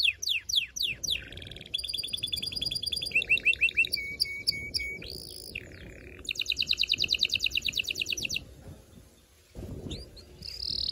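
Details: Continuous canary singing to prepare females and males for mating: falling sweeps, varied trills and steady whistled tones, a fast rolling trill, a short pause, then thin upward whistles.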